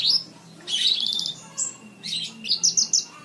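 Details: Lark song used as a model for training cage birds; high twittering phrases, a quick pulsed trill and sharp repeated chirps in bursts, with a faint low hum.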